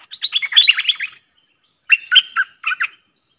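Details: Streak-eared bulbul pair trading song in a duel, 30/10/2021, luring sound: a rapid chattering phrase, then after a gap three separate short, clipped notes.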